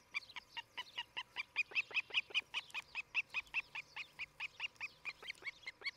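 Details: Nest-camera recording of an osprey at Charlo, Montana, 11 July 2018, morning: an even run of rather distant, down-slurred whistled chips, roughly two or three per second, over a soft background hiss.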